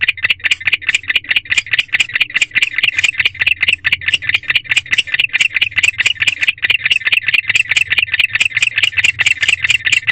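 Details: Male barn owl chirping at an owl box at night, 9:41 pm on 16 February 2023, likely calling for his mate; rapid raspy chirps repeated more than twice a second in a steady rattling series.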